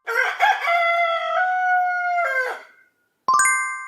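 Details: Rooster crowing one long cock-a-doodle-doo of nearly three seconds: a rough, stuttering start, then a sustained nasal note that drops slightly before fading, followed by silence and a ringing chime.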